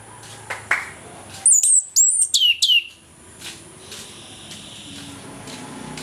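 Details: Orange-headed thrush singing its morning ngeplong song, used to prompt silent birds: a short phrase of high, twisting whistles falling in steps, set between faint chirps and soft background noise.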